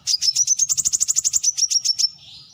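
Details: Brown-throated sunbird pouring out a rapid trill of about twenty bright, high chips over two seconds before fading.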